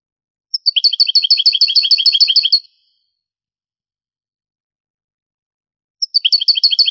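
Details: European goldfinch song in the Granada style, from an old Spanish cassette of the 1980s–90s later transferred to disc: a high two-second series of rapid, evenly repeated bright notes, a pause, then the same rolling phrase starting again.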